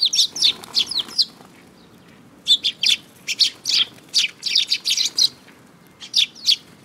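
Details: Sparrows at a Tenmangu shrine on 5 June 2022, with a mimicking bird among them: loud, close, rapid high chirping in busy bursts, a brief pause, then a long run of excited twittering notes.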